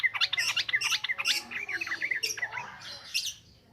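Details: Yellow-vented bulbul, ngropel ngalas song meant as a lure: a rapid, bubbling string of short warbled notes, almost three per second, fading into softer chatter at the end.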